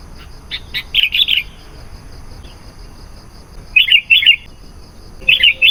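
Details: Sooty-headed bulbul song used as a lure for wild bulbuls: bright, bubbly phrases of two or three rounded notes, repeating after a pause of about two seconds.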